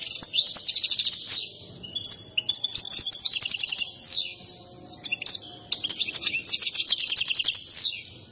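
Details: Agitated European goldfinch performing its breeders' favourite mating song with dancing; three long phrases of high, rapid liquid twittering and trills separated by brief pauses, each ending in a fast chattering run.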